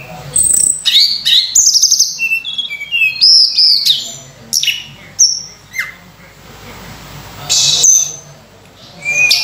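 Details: Sunda robin pouring out a rich lure song for training other birds: dense rapid medley of high whistles, upsweeps and buzzy chirps, then spaced single notes and a final rising whistle.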